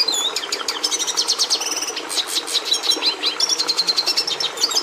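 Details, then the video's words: A red siskin, admired by breeders for passing red colouring to the domestic canary, sings a dense high-pitched warble of fast clicks, buzzy trills and repeated chirps, carried on without a break. "Canto do Tarim da Venezuela"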